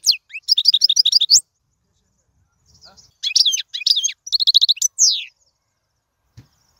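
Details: European goldfinch song used to teach young birds: a fast twittering burst, a silent gap, then further liquid twitters and a buzzy trill ending in a falling slur.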